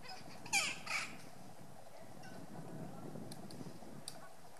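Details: Magellanic woodpeckers, a male and a female, in lenga forest at El Chaltén, Santa Cruz, Argentina; the male finds a grub in a trunk and delivers it to the waiting female, who calls from another branch. Two harsh, raspy squawks early on, then quiet with faint ticks.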